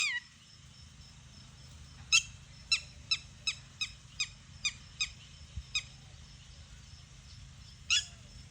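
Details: Red-wattled lapwing calling: loud, sharp, piercing notes in a fast run of about ten, roughly two or three a second, then a pause and one more note. A steady high thin tone and low rumble run underneath.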